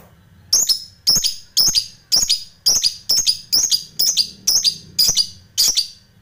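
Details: Lovebird call notes from a recording meant to lure rival fighter lovebirds into replying; harsh, high, clipped squeaks repeated singly about every half second, eleven in all, with quiet gaps between.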